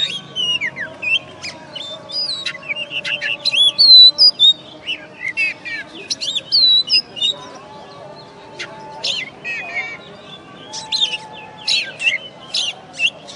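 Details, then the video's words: First-place oriental magpie-robin at a West Kalimantan contest pours out varied whistles, warbles and sharp clicks in bursts, with a lower steady tone beneath and a loud peak partway through. "Kacer Juara 1 Habis Gantang"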